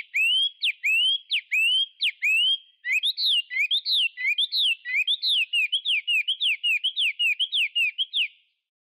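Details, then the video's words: Chinese hwamei delivering rapid series of sharp whistled notes, first rising slurs repeated about twice a second, then faster downward-swept whistles in a long even run before falling silent. "تغريد طائر الخوامي Chinese Hwamei"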